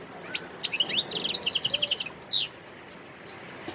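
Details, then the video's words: European goldfinch song recorded in Sidi Bel Abbès, Algeria, on 17 December 2021: high twittering notes, then a rapid run of about a dozen evenly repeated metallic chirps, closing with a buzzy descending note, then quiet. "متع نفسك مع مقنين خلوي صوت ولا أروع"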